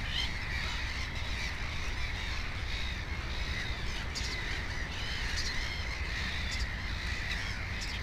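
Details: Black-headed gull beside its nest with two chicks; continuous chorus of hoarse, nasal gull calls, several overlapping, above a steady low-frequency noise.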